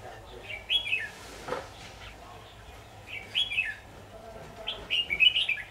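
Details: Red-whiskered bulbul singing while being trapped with a decoy bird, Vietnam, 23 October 2019; three bursts of quick, clear warbled notes about two seconds apart, each a rising-and-falling flourish, with a low steady hum beneath.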